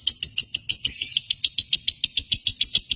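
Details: Josan lovebird in Indonesia chirping fast and steadily, roughly five sharp, high-pitched notes per second, fuller and buzzier in the opening second.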